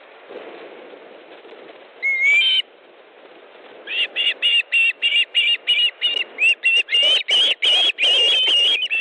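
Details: Osprey nest in Estonia, evening of 18 August 2014, male bringing fish to the female; one rising whistle, a pause, then a fast, accelerating run of short whistled yelps lasting about five seconds.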